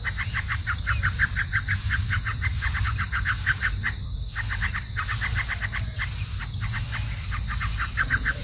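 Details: Bar-winged prinia, called ciblek, singing a rapid series of short, even chirping notes, repeated about three per second in bursts with brief pauses, over a steady high insect whine and low rumbling background noise.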